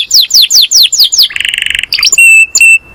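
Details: Master canary calling friends and fighting; a series of sharp descending chirps gives way to a buzzy low trill, then clear sustained whistled notes.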